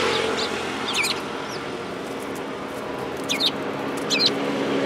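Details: Sparrows arriving to be fed along a shrine approach path on 4 February 2022. A few scattered, high twittering chirps sound over a steady background hiss.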